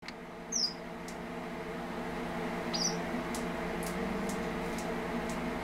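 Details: A male red avadavat (strawberry finch, Amandava amandava) gives two thin, high chirps about two seconds apart over a steady mechanical hum.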